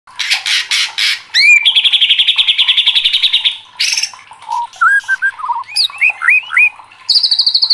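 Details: White-rumped shama, a caged competition songbird said to be agitated and fired up, singing a varied song: fast buzzy rattles, a long trilled run near 3k, then whistled rising and falling notes and a high rapid trill.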